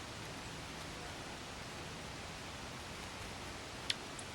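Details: Steady soft hiss with one brief sharp click near the end and no animal voices.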